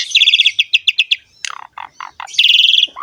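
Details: Song of the Asian pied starling, known locally as jalak suren, meant to lure and train starlings: quick chattering bursts, a string of short clipped notes, then a dense high rattling trill.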